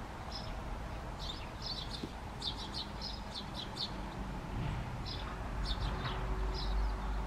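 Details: Great tit, a wandering species: bright short chirps in small groups, mostly in the first four seconds and sparser later, over low rumble that swells toward the end.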